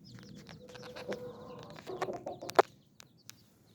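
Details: Brood hen with nine young chicks giving a drawn-out low murmuring cluck, then a cluster of short clucks and a sharp click, followed by near quiet with a few faint taps.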